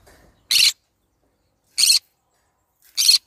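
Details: Green-cheeked conure giving three loud, harsh broadband screeches, each about a quarter second long, spaced roughly a second or more apart, with quiet between them.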